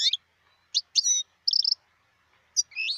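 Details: A wild European goldfinch, recorded in 2018, gives clipped, separate twittering phrases. Brief liquid chirps and a short rattling cluster are spaced by silent gaps, with no other sounds.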